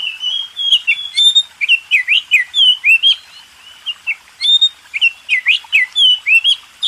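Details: Champion contest Oriental magpie-robin in master song for contest birds: steady run of loud clear whistles, each note sliding up or down, repeated in quick varied phrases with brief pauses.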